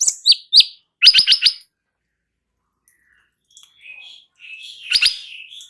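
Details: Light-vented bulbul singing as training audio for other birds: two rising chirps, a quick burst of rapid clipped notes, a long pause, then softer warbling and a final sharp cluster.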